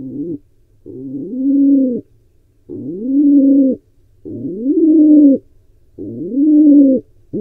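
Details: Wild pigeon trying to breed at a nest box camera in Israel shared with barn owls, giving a steady run of deep, humming coos that swell upward then hold, about one every two seconds.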